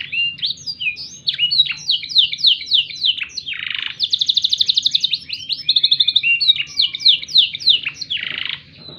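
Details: Black-throated canary tutor song for training young canaries: a dense, loud run of rapid high chirps and sweeping whistles, with fast trills around four to six seconds and a harsh buzzy note near the end.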